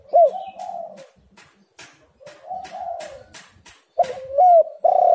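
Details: Spotted dove (tekukur) cooing, used as a lure recording to prompt other doves to call readily; low, mellow coos in broken phrases, some hard and loud at the end, with faint clicks and knocks between.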